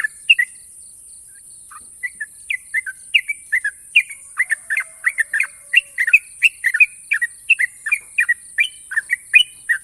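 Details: Yellow-vented Bulbul, national champion, in long sharp ropel song: sparse whistled notes at first, then a fast, dense cascade of liquid chirps in pairs and triplets, over a constant high hiss.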